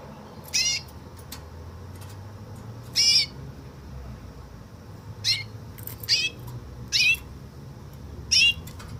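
A canary gives six brief, high, slurred phrases in woodlark style, spaced one to two seconds apart, over a low steady hum.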